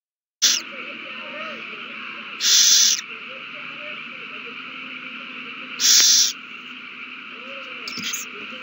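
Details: Owl nest after a mouse is found and handed over, with a frenzy starting again, 21 March 2020; three hoarse, noisy screeches separated by several seconds of quiet humming background, plus a softer burst at the end.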